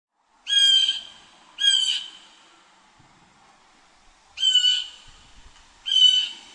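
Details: A wild blue jay in a yard gives four harsh, nasal jay calls in two pairs, each about half a second long, against a quiet background.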